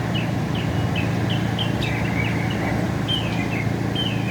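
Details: Northern mockingbird singing in America, making multiple different sounds: a quick run of short, clear chirped notes, some slurred downward, repeated several times a second, over a constant low rumble of traffic.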